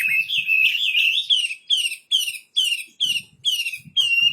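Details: Wambi bird repeating a short, high, descending whistled phrase about twice a second after an opening warble, in a quiet setting with faint low knocks.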